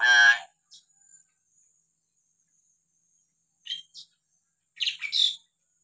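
Hill myna opens with a loud, harsh, ringing call, then gives short, sharp chirps after a pause. A faint steady high whine runs underneath.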